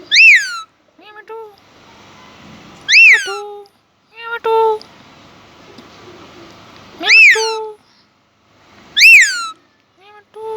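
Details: Indian ringneck parakeet, a pet said to talk in Urdu/Hindi: four loud harsh screeches at irregular intervals, interspersed with short lower voice-like tones and murmurs.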